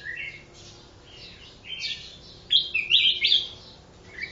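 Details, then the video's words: Newly wild-caught mountain forest red-whiskered bulbul, one day in captivity, singing: short bright whistled and warbled phrases, with a louder run of quick chirpy notes in the middle, over a low steady hum. "Chào mào núi rừng bổi 1 ngày hót"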